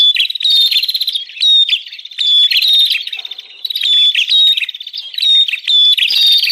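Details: Rowdy bar-winged prinia chatter from a 'ribut' lure recording meant to attract wild prinias: repeated bursts of harsh buzzy trills mixed with high sharp notes, coming in quick waves with short dips between.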